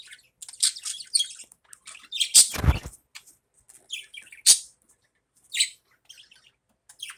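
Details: Morning budgerigar chatter of high scratchy warbles and chirps, with a brief low thump or bump near the third second.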